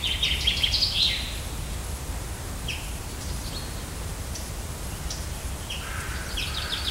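Common chaffinch with a bright, quick run of high notes at the start, fainter scattered chirps, then another bright phrase near the end over steady low rumble.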